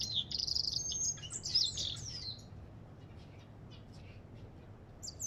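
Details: Brief burst of high, buzzy twittering song from an African goldfinch lasting about two seconds, followed by near silence with faint distant chirps.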